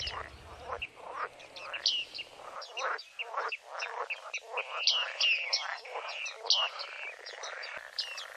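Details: Several bearded reedlings calling together, with ringing ping notes and upward-flicking chirps tumbling over one another in a busy, overlapping chorus.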